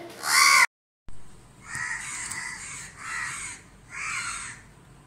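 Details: Crows mobbing a barn owl that was blinded by bright daytime sunlight at a neighbouring house in Dhaka, Bangladesh. One loud, harsh caw is followed by a brief silence, then three fainter, drawn-out caws about a second apart.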